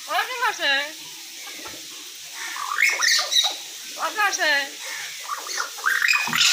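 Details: Common hill myna talking: repeated speech-like syllables that sweep upward and fall, mixed with bright squeaks and chatter in quick succession, several phrases in a row.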